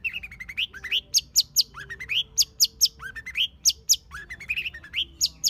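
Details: Wild long-tailed shrike song of varied notes, rising slurred whistles alternating with very high sharp squeaks, irregularly spaced, against a quiet background hum.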